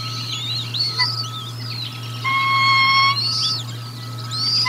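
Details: During a feeding at the Decorah North nest on 1 April 2022, bald eagles give high wavering chirps picked up by a livecam, with a brief steady tone in the middle and a low hum throughout.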